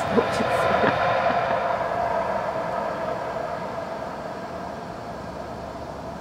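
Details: Steady rumbling roar of a passing train or vehicle, slowly fading, with no animal voice heard.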